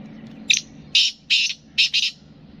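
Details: Kala teetar, the black francolin, from Sindh and Punjab, giving its grating multi-note call: a brief opening note, two longer rough notes, and a quick closing pair, all within two seconds.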